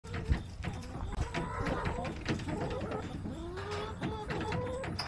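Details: Backyard hens recorded on September 21, 2024, giving low, overlapping clucks and drawn-out murmuring notes throughout, with several birds calling at once over a steady rustling background.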